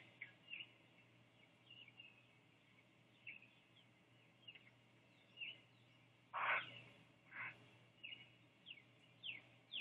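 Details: Great blue heron chicks on a nest at Sapsucker Woods, Ithaca, New York, just after both parents fed them, the mother preening nearby: faint short chirps recur every second or so, with two loud harsh rasping calls near the end.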